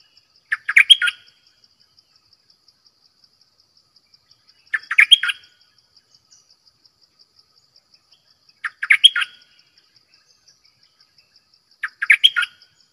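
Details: Decoy bulbul repeating a short, bubbly, chattering phrase four times, roughly every four seconds, each burst under a second long, over a continuous high, pulsing insect-like background trill.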